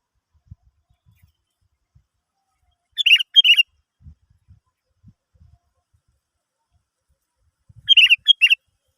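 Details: Sooty-headed bulbul song used as a lure to prompt other birds to sing: two short, bright, bubbly phrases about five seconds apart, each a quick cluster of notes, with faint low thumps between them.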